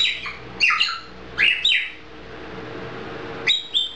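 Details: Pet grey parrot from a Czech household giving short, high, chirpy whistled notes in quick pairs, with pauses between the pairs and a quiet room behind.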